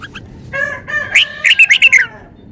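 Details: Caged red-whiskered bulbul showing off its song repertoire: a nasal buzzy lead-in followed by a fast series of five or six loud, clear whistled notes, each briefly rising then falling.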